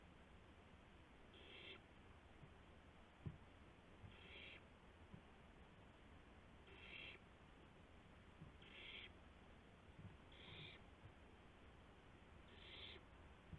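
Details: Owl during a night-time gopher delivery at 12:25 AM on April 7, 2016, with flapping and pouncing; six short, harsh hissing bursts repeat about every two seconds under a noisy, rumbling background with occasional knocks.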